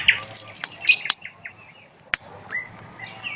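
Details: Nightingale heard on a riverbank by a campfire, fainter and sparser: scattered short whistles and slurred notes with gaps between them, plus two loud sharp crackles from the burning fire.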